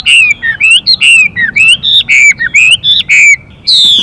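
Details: Chinese hwamei pair, male singing in continuous changing-voice style with female calls that excite him: loud clear whistled phrases, slurred up and down, in quick bursts about once a second with short pauses between.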